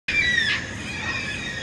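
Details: Cockatoo giving a single loud, harsh screeching call that starts sharply and trails off into a raspy, drawn-out tail.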